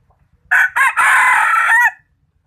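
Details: A decoy chicken kept for catching birds and praised for its fine voice gives a single crow. Two quick opening syllables lead into a sustained, strong held note that drops off at the end. Background is silent.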